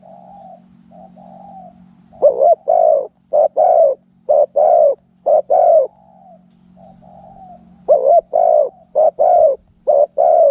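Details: Spotted doves fighting each other: soft level cooing at first, then loud, rapid paired and triple coo notes in bursts about once a second, a quiet pause, and another loud run of clipped coos.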